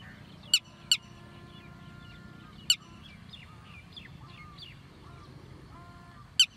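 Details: Red-wattled lapwing (tateri) giving isolated sharp, high clipped notes at irregular intervals, with fainter chirping of other small birds between them.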